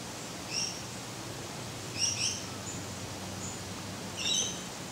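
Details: Eastern Spinebill feeding on red flowers of a young Grevillea speciosa: a few faint, high, thin chips and short piping notes, spaced unevenly over several seconds against a steady background hiss.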